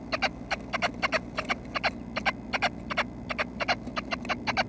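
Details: Nuthatches at the nest, thought to be leaving it that day, 6:30 am on May 25; crisp ticking chirps, singly and in pairs, at an uneven quick pace.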